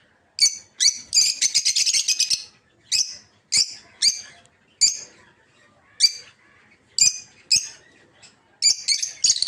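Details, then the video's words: Peach-faced lovebirds calling inside an aviary where they are kept for breeding. A rapid string of screechy notes opens, then isolated piercing chirps follow about every half-second to second, ending in another quick burst. "Peach-Faced Lovebird's Sounds"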